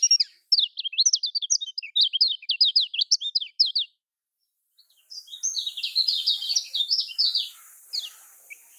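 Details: Lemon-bellied white-eye from Lombok singing a lure for caged birds. Crisp high chirps repeat rapidly, roughly two per second, for four seconds, then after a pause a softer, blurred warbling run follows.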